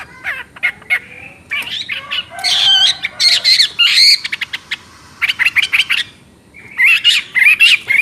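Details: Wambi, the Chinese hwamei, chattering vigorously: bursts of loud, varied whistles and rapid clipped notes, some phrases rising and falling, separated by short pauses.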